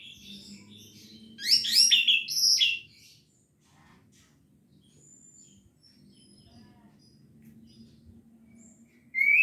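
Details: Orange-headed thrush singing in the 'gacor teler' style with full repertoire: a loud burst of sharp, varied, twisting high notes lasting about a second and a half, then a faint low hum with scattered thin notes.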